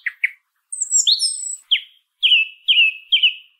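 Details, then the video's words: Song thrush gives two quick notes, a high thin squeaky phrase, then a clear whistle repeated three times in quick succession. Quiet background. "SONIDO de ZORZAL COMÚN CANTANDO"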